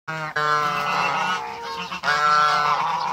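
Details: Pair of domestic African geese on a waterbird farm giving loud, nasal, harmonic-rich honks: a short honk, then a long sustained honk of about one and a half seconds, a brief break, and another drawn-out honk.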